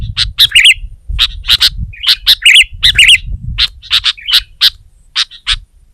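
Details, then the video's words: Sooty-headed bulbul in full song against a rival, other bulbuls stirred to join; sharp clipped chips alternate with short bubbling warbled phrases, delivered in bursts with brief pauses, over a faint low hum. "Suara Burung Kutilang Gacor Menekan Lawan Terbaik || Burung Kutilang Lain Emosi Dan Ikut Gacor"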